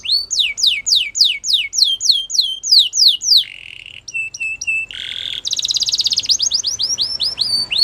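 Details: Spanish Timbrado canary singing loud, fast downward-sweeping whistles repeated several times a second, then lower metallic rolling notes, a brief pause, and a bright buzzy trill ending in further sweeping notes.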